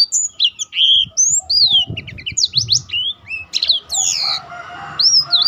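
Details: A black-throated canary sings to prompt other birds and teach them more song variations; high swooping whistles and quick chirp series, with some faint low fluttering or knocking sounds.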